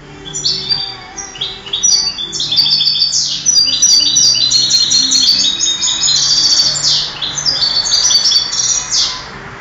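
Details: European goldfinch entered in a 2008 singing contest pours out a long, fast, bubbling stream of high, twittering and trilled notes, nearly unbroken for several seconds.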